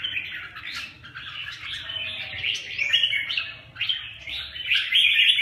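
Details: Fighting red-whiskered bulbuls produce jumbled scratchy chatter and sharper squeaks, growing louder toward the end.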